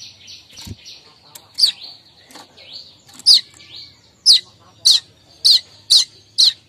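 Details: Morning chatter of a streaked weaver, used to attract other weavers. Bright, clipped chips come faster toward the end over a faint steady high tone and low background hum.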